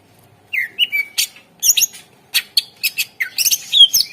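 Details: Lure song of a greater green leafbird, used to stir other birds that have stopped singing. Falling whistled notes open into a lively run of sharp chirps and harsh rattling bursts, ending in a bright whistled flourish.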